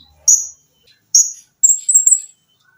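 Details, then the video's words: Olive-backed sunbird (konin), a gacor cage bird in a training recording with lengkingan and besetan styles: two shrill descending notes followed by a very high, quivering warbled phrase. "TERAPI KONIN GACOR FULL TEMBAKAN RAPAT!!!MESIN JAHIT,LENGKINGAN DAN BESETAN."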